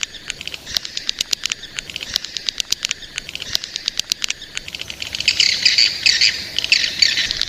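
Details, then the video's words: Young swiftlets: rapid, uneven dry clicks, about two per second, fill the first part. Loud, harsh, buzzy twittering calls then rise over the clicking. "Suara walet ngeri sedap, Walet Remaja"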